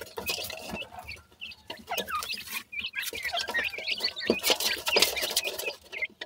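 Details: Several captive grey francolin chicks chattering: rapid, high, squeaky chirps and brief whistled trills tumbling over one another without a steady rhythm, mixed with scratching and patter noises.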